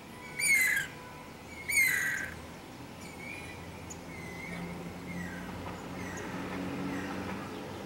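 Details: Guira cuckoo (Guira guira), song.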